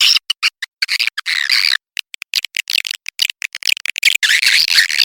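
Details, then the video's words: Swiftlet lure call for attracting swiftlets: busy, buzzy twittering chatter in rapid irregular bursts, with a short pause near the middle before the dense chirping resumes. "Suara pikat BURUNG WALET"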